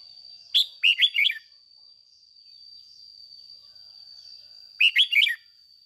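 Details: Domestic decoy red-whiskered bulbul singing the vigorous morning 'ché' song: two separate phrases, each of four fast, fluty, up-and-down notes, spaced about four seconds apart over a constant high whine.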